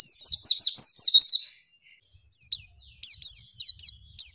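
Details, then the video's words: Female white-eye singing on a training recording. A rapid cascade of high, wavering chirps stops, and after a short silence come separate clipped high notes spaced about half a second apart. No other sounds are heard. "MASTERAN PLECI LANGSUNG BUKA PARUH"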